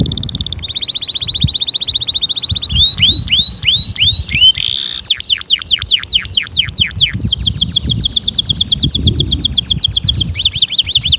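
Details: Loud canary performance for encouraging other canaries to sing: a steady trill, looped notes, sweeping downward whistles, then a long fast even tour and brief looping phrases at the end.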